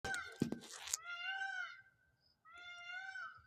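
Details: At dusk in a neighbourhood where peacocks have gone wild, an Indian peafowl gives two loud, drawn-out, nasal wails, each about a second long with a short pause between, after a burst of clattering noise.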